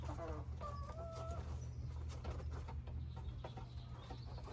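Red junglefowl gives a short crowing phrase of clear, slightly rising tonal notes in the first second and a half, over a steady low hum.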